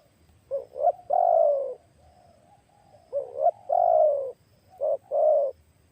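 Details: Spotted dove calling during a trapping test with a new decoy bird that has a big voice, used to lure wild doves; two-part phrases of short rising notes followed by a long, falling, mellow coo, repeated twice, with a fainter coo between.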